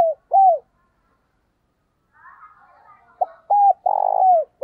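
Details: A decoy spotted dove calls wild birds closer with arched hooting coos. One phrase ends, soft chattering chirps follow, then a new run of coos begins with a short note and a drawn-out vibrating coo.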